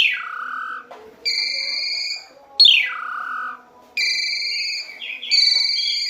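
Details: Asian pied starling song for training captive birds: clear whistled phrases, a slurred note falling sharply, then steady ringing whistles with bright overtones, separated by short pauses.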